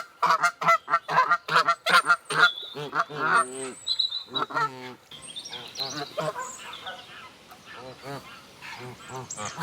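Canada geese honk loudly in quick, ragged bursts, several birds overlapping with nasal two-part calls; softer calls continue in the background.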